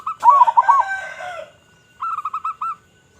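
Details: Local zebra dove in full voice, a loud recording used as a lure for other zebra doves: a rapid, bubbling phrase of rolling coos, then after a short pause a second shorter burst of clipped, repeated coo notes.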